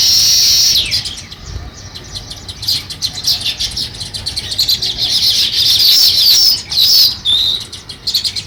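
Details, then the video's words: Sparrows beginning to build a nest chirp in quick, uneven bursts of high notes, building into a louder twittering run toward the end with a short downward slur. "Sparrow Chirping Sounds | Sparrow start to Build Nest"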